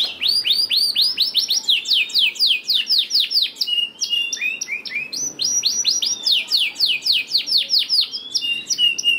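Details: Sustained canary song meant to stimulate lazy canaries: long chains of fast, rolling trills shifting between pitches, with sweeping notes and brief buzzy phrases, singing continuously throughout.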